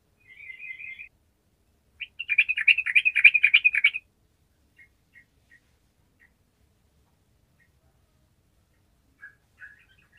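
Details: Sooty-headed bulbul in 'gacor' singing form, played to spark song in idle bulbuls: a short buzzy trill, then a two-second stream of rapid, sharp chattering notes, then sparse faint notes and near silence.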